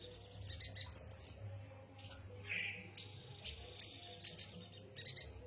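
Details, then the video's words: Yuhina singing high, quick twittering notes in short groups, a lower rough note in the middle, and soft background hum. "kicau burung yuhina"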